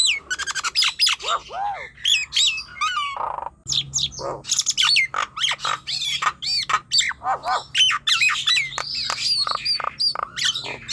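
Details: Nias hill myna song used to lure young birds into singing: dense run of loud squawks, whistles and arched harmonic notes with short buzzy bursts, closely repeated, with a faint steady low hum beneath.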